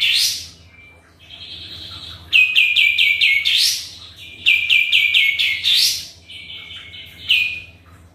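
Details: Actively singing sooty-headed bulbul, used as a lure: an opening upward swoop, a thin flat whistle, then repeated runs of quick clipped notes that climb into sweeping flourishes, closing with softer trailing whistles.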